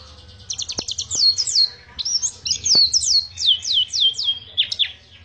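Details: Pacitan Oriental white-eye in long ngriwik song: after a brief pause, rapid stuttered high notes give way to a chain of thin, downslurred whistles repeated in close succession, with a few soft clicks.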